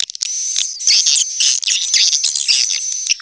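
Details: Swiftlet calling sound, 'tombak raja', used as a lure for swiftlet houses: a steady stream of high, shrill twittering with quick chirps, over a thin constant high tone.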